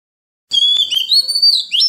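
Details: Oriental magpie-robin song in the wild-voice style, meant to train young birds and spur wild-caught birds into singing; long pure whistled notes gliding up and down, broken by two sharp clicks, ending in a rising flourish.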